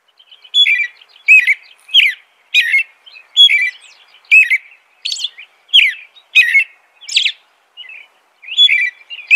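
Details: American robin song: a long run of short caroling whistled phrases, about one every three-quarters of a second, each a slurred up-and-down warble mixed with thin high squeaky notes, with a brief pause near the end.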